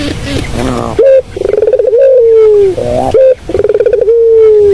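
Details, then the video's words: Purring coo of a puter dove, used as a lure sound. Low throaty notes open, then two phrases each begin with a rapid stutter and stretch into a long, slightly falling steady tone. "Inilah bunyi Suara burung puter yang sangat merdu buat pikat"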